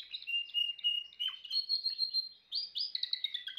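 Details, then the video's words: A Timbrado canary delivers long level rolling trills, stepping upward in pitch, then two bright rising swoops followed by descending warbled notes. "chant canari timbrado l meilleur chant canari l اقوى تغريد كناري"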